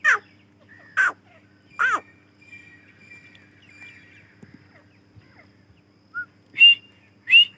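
Grey francolin, female, giving loud harsh notes that drop in pitch, three at the start and two more near the end, with a faint whistle between.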